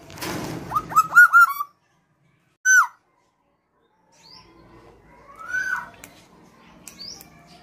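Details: Indoor recording of a tame female black-naped oriole singing: a burst of four rapid downslurred whistles, silence, one short loud whistle, then a softer drawn-out rising-falling whistle with faint background chatter.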